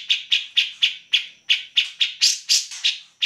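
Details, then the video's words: Grey-cheeked bulbul in vigorous song, kept to train other songbirds: a regular series of about twelve loud, harsh chattering notes, roughly four a second, growing brighter and slightly higher toward the end. "Cak Jenggot Gacor"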